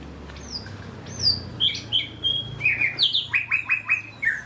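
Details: Wild Java sparrow singing actively: a run of bright whistled notes, some sliding downward, then a fast rhythmic series of short chipping notes near the end, with low background hum.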